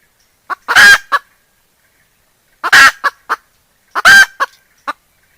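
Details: Decoy hen giving her cackle, 2021: three evenly spaced phrases, each a brief cluck, a loud grating squawk, then two or three quick clipped clucks, with silence between.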